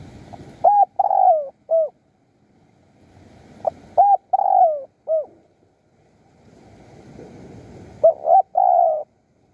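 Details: Wild spotted dove lured by decoy trapping in Surat Thani, Thailand, repeating its phrase three times about every three and a half seconds: short coos, a long falling coo and a clipped final note.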